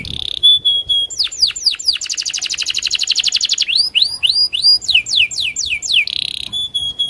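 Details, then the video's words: Agitated loper canary challenging a rival. A steady held whistle opens, followed by swept notes and a long buzzy rapid trill. More descending sweeps follow, and the song closes on another held whistle. "Suara Burung KENARI LOPER NGAMUK Menantang LAWAN untuk BUNYI"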